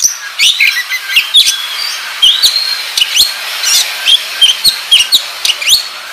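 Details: Kacer (oriental magpie-robin) singing gacor ngobra, a lure recording meant to provoke other kacer into song. Rapid string of short downslurred whistles and chips, evenly spaced, against a faint hiss.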